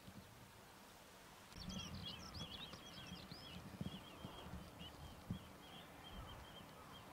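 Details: Grey-headed lapwing in rice fields at Iwatsuki, Saitama, Japan, where about three pairs breed each year; recorded 22 June 2019. Rapid series of sharp, high, chattering notes running for several seconds over a low rumbling background.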